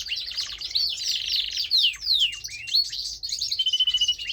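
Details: Pet canary, male, singing buzzy rolls followed by sharp descending whistles and a closing run of quick pulsed notes.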